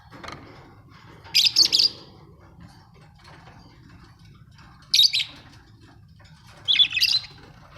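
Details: Pet budgies at home give three bursts of rapid, scratchy chattering chirps spaced a few seconds apart, over a faint low hum.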